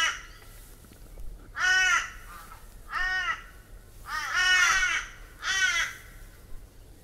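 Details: In Australia, a crow gives four harsh, drawn-out caws, each about half a second long and slightly arched in pitch, spaced roughly a second apart over a quiet background.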